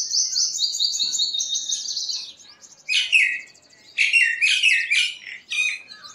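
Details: Purple sunbird song: a long, rapid, high trilled series of buzzy notes, then a pause and several louder bursts of sharp, jumbled twittering phrases that drop in pitch.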